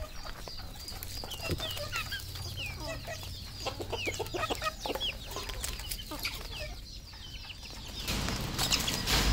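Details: Red junglefowl at a farm in Cambodia: a dense chorus of high, down-slurred peeping notes overlapping quickly, mixed with low clucks and scattered knocking clicks, with a rougher burst of noise near the end.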